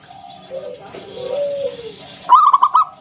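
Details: Local wild-type zebra dove, a frequent singer, in the ngalun style with a round kung note, used as a lure to get other doves singing. Lower drawn-out arched coos come first, then a short burst of rapid staccato coos near the end.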